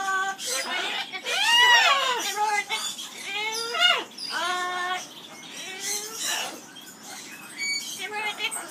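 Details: Amazon parrot in an aviary performing its "skimmeradinkadinkadink" song: a series of rich, voice-like harmonic phrases, swooping and arching notes with stacked overtones, delivered in bursts with short gaps and some fainter chatter toward the end.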